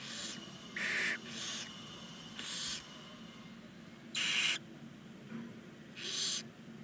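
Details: Begging of nine 19-day-old barn owl chicks inside a chimney-side nest box at Ságvár, Hungary, live-cam recording: rasping, snore-like hisses of about half a second, six repeated irregularly against steady low background noise.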